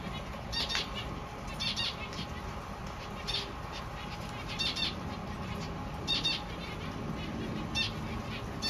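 Zebra finch chicks give short, raspy bursts of high calls, repeated in clusters over a low background hum.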